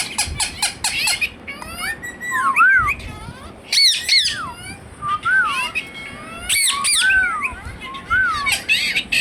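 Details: Indian ringneck parrot kept as a pet talking bird: bursts of grating squawks alternate with short rising-and-falling whistled notes, repeated in irregular phrases indoors, with faint background noise.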